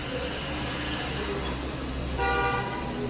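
Street traffic rumbles steadily, and a car horn toots near the end, with no animal voice heard.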